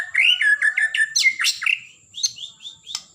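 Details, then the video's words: Energetic song of a blorok white-rumped shama, played to excite other birds: a fast series of curling whistles and piercing high notes, followed by softer spaced whistled notes about every quarter second. "Murai Batu Blorok Gacor"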